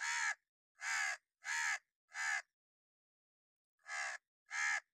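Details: Harsh alarm caws of an angry crow, possibly a hooded crow, used as a warning: a run of four loud, rasping calls, a pause of over a second, then two more.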